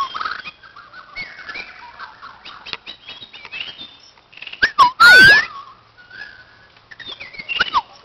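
A White-crowned shama sings a varied run of clear whistles, slurred rising notes and chirps, with a loud bright whistle midway and clicks between phrases.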